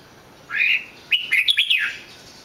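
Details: Red-whiskered bulbul giving a smooth rising whistle, a short pause, then a quick cluster of bright, jumpy whistled notes that fade downward.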